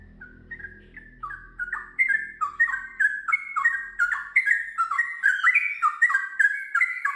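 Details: Sooty-headed bulbul singing ngiwir into a long ropel: a few spaced, clear whistles that quicken into a dense run of chattering, liquid notes, with a soft low background rumble at the start.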